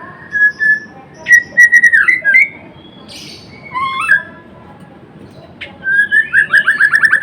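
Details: Murai Blorok white-rumped shama singing: short whistled phrases and harsh notes separated by gaps, ending in a fast series of repeated chirping notes.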